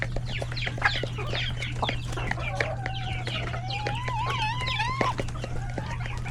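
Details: Chickens, roosters and chicks at lunch time in a coop; amid steady peeping, one bird draws out a long wavering, warbling call from about three to five seconds, with a low hum beneath.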